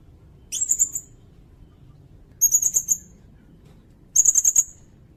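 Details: Sirindet song used as master material for songbirds and for trapping by lure. Three short bursts of rapid, very high trilled chirps come roughly every two seconds, with a quiet low hum between them.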